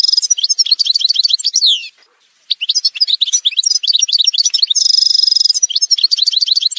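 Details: Algerian goldfinch (parva) singing a montage song: fast twittering notes and buzzy descending slurs, a brief pause near two seconds, then a sustained metallic trill before more liquid twitters.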